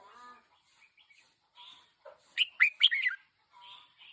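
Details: Decoy red-whiskered bulbul, one year old: soft, low murmured notes first, then one loud, bubbly phrase of rapid rising and falling whistles, followed by quieter chatter.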